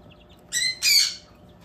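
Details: Baby bantam chicks on a hobby farm: two loud, high, shrill peeps in quick succession, against steady low background hum.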